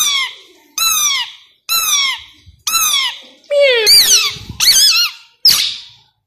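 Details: Tame three-year-old male plum-headed parakeet kept indoors, giving a series of loud, sharp squeaky calls, each a descending harmonic note repeated roughly every second, ending in harsher rising squawks.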